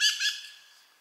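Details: A dusky thrush, recorded 10 November 2007 in Omachi, Nagano, Japan, gives two quick, harsh, high squawking notes about a fifth of a second apart, the second fading away.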